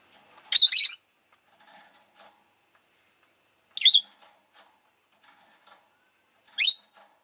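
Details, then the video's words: Rosy-faced lovebird uttering three loud, scratchy, high chirps about three seconds apart, each a short harsh burst, with soft clicking in the quiet gaps. "Lovebird Chirping Sounds"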